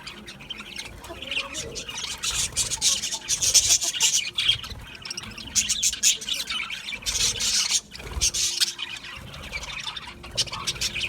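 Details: Budgerigars keep up continuous high, squeaky warbling and chatter with several louder surges and brief pauses between them.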